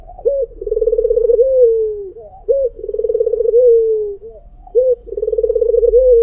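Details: A white Barbary dove cooing in the "mpuk jeruuu" style: a crisp opening note, then a long vibrating coo that trails downward. It repeats three times at roughly two-second intervals against quiet surroundings.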